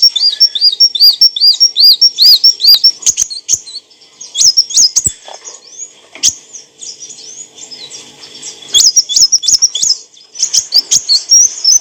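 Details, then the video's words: Olive-backed sunbird (kolibri wulung), clear song used to train cage birds: opening run of arched high whistled notes about three per second, then scattered shrill chirps, trills and quick bursts separated by short pauses. "kicauan burung kolibri wulung - suara jernih untuk masteran & pancingan"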